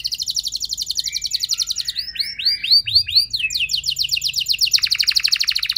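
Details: Canary lure song for training other canaries to answer and sing long, opening with a fast buzzy trill, then a row of looping upslurred whistles and another rapid high trill, no other sounds.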